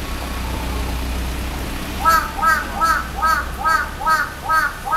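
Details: A large-billed crow in town gives a quick run of short, hoarse, arched caws, sweet-sounding, about two or three each second, over a low hum of city traffic.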